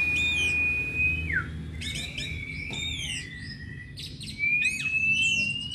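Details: Agitated Oriental magpie-robin singing loudly in the open 'ngeplong' style while spreading its tail: long pure whistles held level, then slurred down, mixed with quick rising and falling chirps, over steady low background hum.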